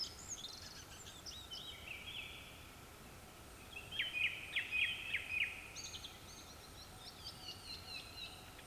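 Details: Japanese thrush song at dusk. Varied whistled phrases, with a burst of quickly repeated sharp notes in the middle and a thinner high twittering series near the end, over a soft, constant background hiss.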